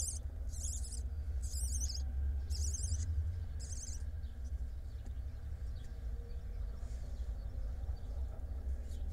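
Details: Barn owl in an Israeli nest box filmed by live camera on 29.3.21, the day the first nestling hatched. Four rasping hiss bursts come in quick succession, then quiet with only a low background hum.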